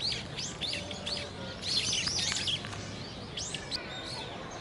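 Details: Two little grebe chick siblings about 50 days after hatching, at a park pond, 25 November 2018, give thin, high, arched peeping notes in quick bursts, several a second, over a steady low background rumble.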